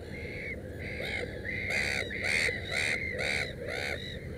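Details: Black-headed gull at a nest with three chicks, giving loud, harsh, rasping calls repeated in a steady series of about eight over four seconds, each a short grating squawk, over low background rumble.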